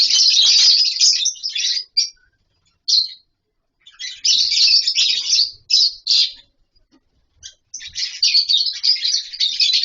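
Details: Lovebirds kept together in a colony with wooden boxes and mud bowls for nesting: long bouts of strident, high chattering alternate with short silences and a few isolated sharp chirps.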